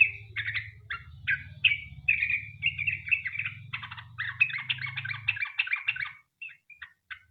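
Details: Lively Sooty-headed bulbul song meant to lure other bulbuls into singing; dense runs of bright chirping notes over a low hum that fades midway, ending in a few sparse scattered notes.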